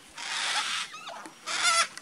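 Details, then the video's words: Yellow-tailed black cockatoos at Hamlet Downs, Tasmania, on 11/9/16 give two harsh, broad screeching calls about a second apart, each roughly half a second, with a faint rising whistle between. "Yellow-Tailed Black Cockatoos"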